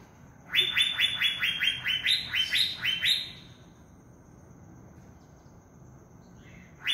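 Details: An Asian fairy-bluebird in the wild forest gives a quick run of about ten sharp, rising whistled notes over two and a half seconds, then one more after a pause; faint forest hiss behind.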